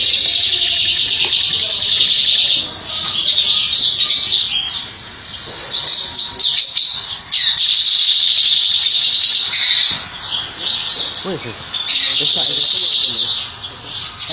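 Grey-headed canary-flycatcher giving a high, thin, rapid twittering song of quick trills and chips, almost without pause, with brief gaps and faint background noise.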